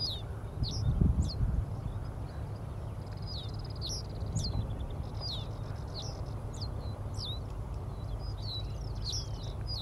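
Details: In June 2022, a Middendorff's grasshopper warbler sings perched on an Angelica ursina plant, giving sharp, thin, slurred notes spaced irregularly and a brief rattling trill. A low background rumble continues throughout, with a louder thump near the first second.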